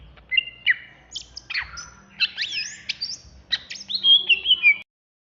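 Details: Greater green leafbird of the Banyuwangi variety singing ngentrok, agitated: jumbled chirps, squeaky upslurs and looping high whistles tumble out fast, ending in a run of bright warbled notes before cutting off.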